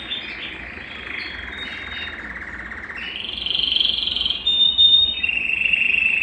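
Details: Belgian canary singing to spur a cold canary: soft buzzy rolls at first, rising into a louder sustained trill, then sharp chips and another rolling trill.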